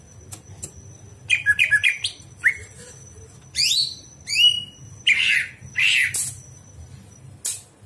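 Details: Greater green leafbird singing at night as training material for other birds: a fast stutter of chirps, then varied downward-sweeping whistles and harsh bursts in irregular phrases, with a steady high tone and low hum behind.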